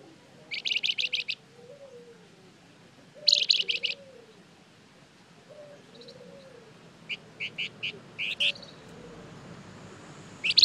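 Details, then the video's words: Flamboyan bird serving as a lure to draw responses: several fast trills of high chirps and spaced single sharp notes, while a soft, low, dove-like cooing repeats in the background. "Suara pancingan burung Flamboyan gacor terbaik , pasti nyaut"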